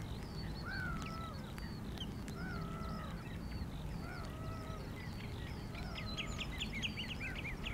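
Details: Common redshanks (Tringa totanus) calling repeatedly in the rain, clear downslurred whistles mixed with quicker, higher piping notes, over the steady hiss of rain.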